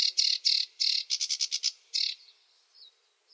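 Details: Short burst of sedge warbler song, a few harsh buzzy churrs followed by quick chattering notes, fading away with a faint thin whistle.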